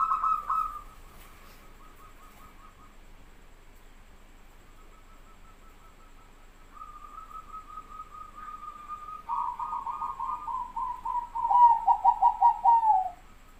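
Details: Zebra dove song from Bangkok and local perkutut birds: a short coo, then long soft trilled coo phrases that grow louder toward the end and finish in a quick rapid series of falling notes.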